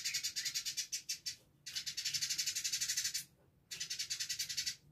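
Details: Lively Village indigobird song from a tight, fast tutor recording: dense high chattering trills of quick repeated chirps, broken into three bursts by brief silences.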